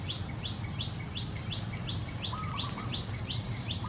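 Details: Wild golden-backed weavers, a flock nest building in trees in the middle of a pond in Singapore in the early morning: sharp upward chirps repeated about three times a second, with lower wavering notes and a steady low rumble.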